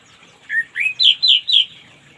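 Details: Orange-headed thrush morning song, played to help a bird that has stopped singing. Five clear whistled notes follow at about quarter-second intervals, stepping upward in pitch, each sweet and slurred, over a quiet background.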